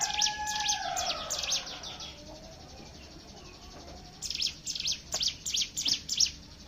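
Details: Hill prinia song in the ngebren style, used as a lure to get other birds singing: rapid high sharp chips in two bursts around a quiet gap, over a lower drawn-out tonal call in the background.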